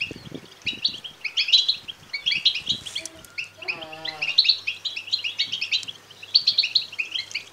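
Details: Begging calls of European goldfinch chicks: constant busy high chirping from several young birds, with a brief lower, ringing, harmonic note in the middle and faint background knocks.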